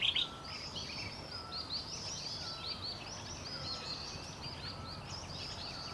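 Crested finchbills give a steady stream of bright, bubbling chirps and chatters, with a faint, thin whistle repeating low beneath them.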